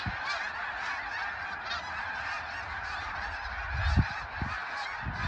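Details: Thousands of overlapping snow goose honks, from a species migrating in flocks up to 100,000 strong, form a constant clamour of nasal yelps, with occasional low bumps and a louder swell near the fourth second.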